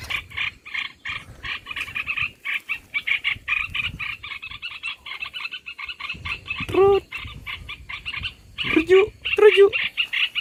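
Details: Olive-winged bulbul calls played as a lure for bird trapping: dense, fast chattering bursts, with a few lower, clearer whistled notes breaking in near the end.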